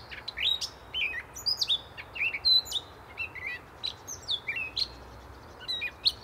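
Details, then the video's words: A gray catbird sings steadily, a rambling string of varied squeaky, slurred and chattering high phrases, each a quick twist of pitch, following one another with only brief gaps, over a soft low background rumble. "Gray Catbird Singing Away"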